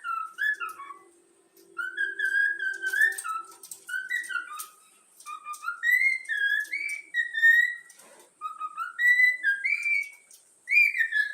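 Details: Yellow-cheeked cockatiel chick, trained to sing, whistles the Flamengo anthem as a melody of short gliding phrases, rising and falling, in separate bursts with short pauses. A faint low hum sounds at the start.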